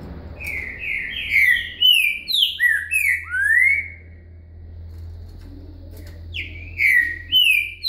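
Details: Green-winged saltator in boca mole style with a virada, delivering a lively series of clear whistled notes that alternately drop and swoop upward, then pausing before a shorter run of falling whistles, with a faint low hum underneath.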